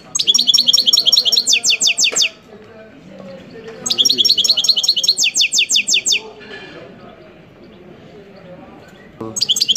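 A European goldfinch sings bright, rapid twittering phrases of high tinkling notes in two-second bursts with short pauses, over a faint low room murmur.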